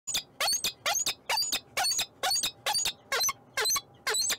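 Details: Peregrine falcon in Montreal, Canada, giving loud, harsh, grating calls repeated in a steady series, about two per second, each a rough broadband note with a higher squealing edge. No other clear sounds.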